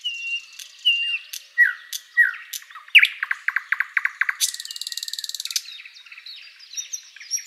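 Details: Thrush nightingale song at sunrise in a spring forest: soft whistles and down-slurred notes, a rapid series of sharp repeated chips, a harsh buzzy rattle, then quieter thin high notes trailing off.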